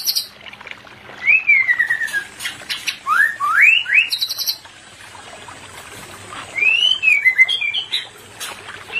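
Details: White-rumped shama pair played to stimulate birds not in breeding condition: rich whistled phrases with rising and falling slurs, high buzzy notes between, a quiet gap midway, then more fluty whistles.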